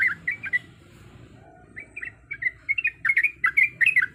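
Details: Female yellow-vented bulbul in breeding condition calling males, starting with a few gurgling notes, pausing, then building into a dense burst of rapid, bubbly chattering phrases above a faint low murmur.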